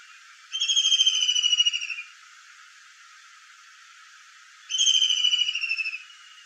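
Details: Kingfisher calling with a pair of shrill, fast-pulsed trills that sag gently in pitch, roughly four seconds apart, with faint hiss and nothing else between them.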